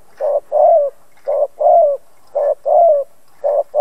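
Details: Spotted dove decoy calling to stir rival doves to answer, with steady paired coos, a brief note then a longer wavering croon, repeated about once a second, clear and close with no other sounds.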